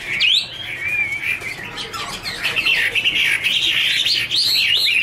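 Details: Dancing Chinese hwamei, two birds singing together with fluttering wings: a clear upward whistle opens, then a steady run of varied warbled notes and quick wavering trills.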